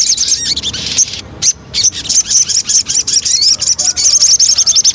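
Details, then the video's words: Javan cochoa lure song: bursts of high chattering notes, then a quick, rhythmic series of repeated high trilled phrases, punctuated by clicks. "Pancingan Burung Sogon"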